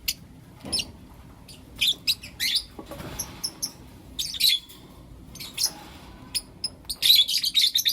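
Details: Morning chirping from blue opaline and lutino opaline lovebirds: loud, shrill, buzzy chirps in uneven bursts, growing denser and faster toward the end.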